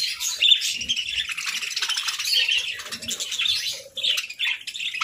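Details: Continuous lively chatter of pet parakeets eating their breakfast, a dense stream of overlapping high chirps and warbles with hardly any pause.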